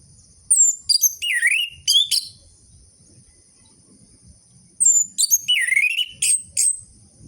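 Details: Lure recording of a strongly singing orange-headed thrush, meant to prompt sluggish caged birds to sing. Two bursts of high chattering notes, each holding a swooping slurred whistle, come about four seconds apart with faint low rumble between.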